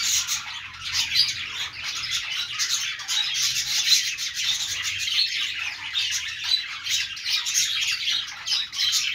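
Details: Chirping budgies, also called parakeets: steady, thick warbling chatter of many overlapping high-pitched chirps and harsh squawks running without a break.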